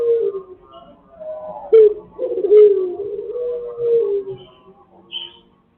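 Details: Pelung chicken, quieter and more distant, giving a wavering crow that rises and falls, with a steadier middle stretch held for about two seconds and faint short notes around it.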